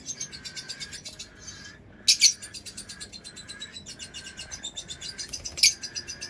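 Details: Lovebird chattering in a fast stream of rapid, ticking high pulses, with two louder piercing squawks standing out partway through.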